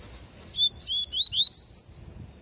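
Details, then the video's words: Tui tui song of a double-collared seedeater, a bright burst of five or six short, high whistled slides that climb toward the end of the phrase, with faint background hum. "CANTO TUI TUI DE PAPA CAPIM COLEIRO"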